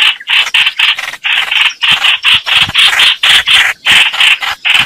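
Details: Rhythmic, grating scolds from fighting Red-whiskered bulbuls, each burst short and harsh, coming about four times a second with brief gaps between.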